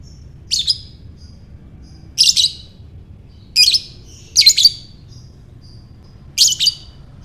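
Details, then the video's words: Shrill ngekek chatter of a lovebird, used to draw other lovebirds into calling: five harsh, rasping bursts, some doubled, spaced one to two seconds apart, with soft high squeaks in the gaps. "Buat Mancing Lovebird Bagus Ini | Lovebird Ngekek"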